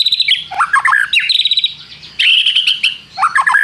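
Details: White-rumped shama singing loudly: rapid trilled notes, dropping slurred whistles, then a long sustained buzzy trill, followed by another falling whistled phrase.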